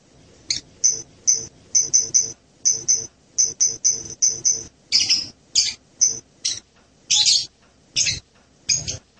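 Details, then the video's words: Blue-crowned hanging parrot (serindit) giving thin, very high squeaky notes in quick pairs and triplets, then several harsher, buzzier shrieks spaced about half a second apart. "suara burung serindit mp3 (Loriculus)"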